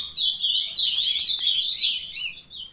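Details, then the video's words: Captive young Ultramarine grosbeaks in a brief burst of song: loud, continuous, sweeping warbles that slide up and down and blend into one another, then fade at the end. "filhotada de azulão mandando ver"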